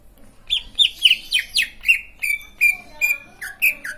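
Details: Green leafbird singing in a way said to make other leafbirds join in: a brisk run of sharp, high downslurred whistles, then steadier flat whistled notes repeated about every third of a second.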